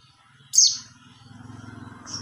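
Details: A mountain white-eye calling to other white-eyes gives one loud, buzzy, descending high chirp, then a brief faint chirp, over a low, rhythmic, engine-like rumble.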